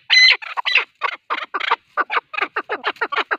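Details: Male partridge heard for hunting use: one long harsh note followed by a hurried string of rasping, clucking syllables, uneven in spacing and loud throughout.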